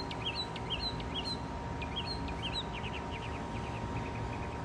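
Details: Northern mockingbird song during courtship displays, when the male sings to defend territory and attract a mate: bright chirpy phrases repeated about every half second, then a quicker run of short, evenly spaced notes, over a steady hum and low rumbling background.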